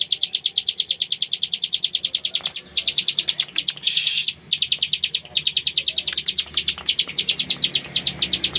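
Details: Ciblek gunung delivering its 'ngebren' song: rapid, high, rasping chips in long runs, briefly interrupted midway by a hissing burst and a short pause before the fast chipping resumes.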